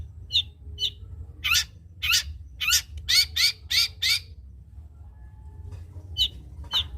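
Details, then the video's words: Long-tailed shrike in energetic song: short high chips, then a run of six loud harsh rasping notes about half a second apart, closing with two sharp chips after a pause. "cendet isian kapas tembak gacor"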